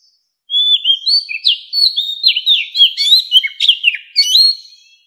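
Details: Mature wild Oriental magpie-robin singing, a song used to call in wild birds: a loud, varied run of clear whistled notes with sharp upward and downward slurs and short trills, sung continuously for about four seconds, no other sounds.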